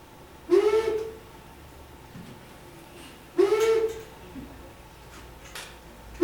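Long-eared Owl giving three low, soft hoots, each about half a second long, spaced roughly three seconds apart over a faint background hum.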